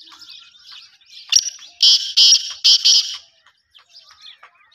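A black francolin gives a harsh, grating phrase of four or five loud, scratchy notes in quick succession, with faint twittering of small birds around it.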